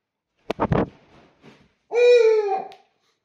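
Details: Pet owl indoors, calling at a Rilakkuma plush toy: a few soft rustling bursts, then a single drawn-out, harsh, harmonic call lasting about a second that drops at the end.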